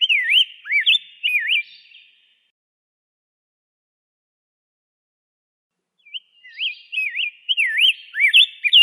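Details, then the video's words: A rose-breasted grosbeak gives a short burst of liquid, up-and-down whistled notes, then a two-second silence, then a longer warbling phrase of rolling slurred whistles, with faint echo trailing each note. "kicauan indah rose-breasted grosbeak"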